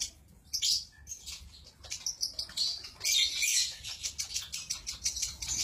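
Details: Lovebird in 'konslet' song: after a short quiet start, bursts of scratchy high twittering and clicks grow into a steady, rapid, buzzy chatter with brief whistled notes mixed in.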